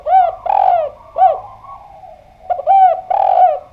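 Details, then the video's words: Spotted dove in vigorous song: loud, hollow coos, each a short arched note followed by a longer rolling 'krrooo', repeated in two phrases with a brief pause between, over a faint steady hum. "Enak Banget Suara Derkuku Gacor Ini"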